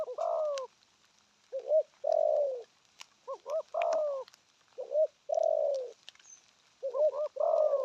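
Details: Repeated spotted dove coo phrases. A pair of short hiccuping notes precedes a longer, rich, falling coo. About five phrases follow closely over eight seconds, loud and clear.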